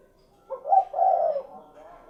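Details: Spotted dove giving a single low, husky coo phrase: a short lead-in note then a longer rolling note fading out.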